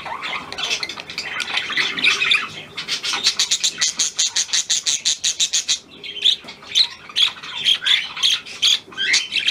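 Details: A hand-tame Australian pied budgerigar, newly acquired, warbles scratchily and then gives a steady series of about twenty rasping, clicking pulses, followed by bright, squeaky chirps repeated about every half second.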